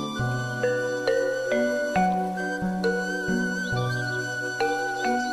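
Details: Gentle instrumental music plays throughout, with sustained tones and soft plucked notes, and no bird or other animal is heard.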